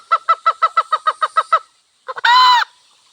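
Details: Wild red junglefowl, hen and cock, in a village setting: a run of about ten quick, evenly spaced clucks, then a pause and one loud, harsh, drawn-out call lasting about half a second.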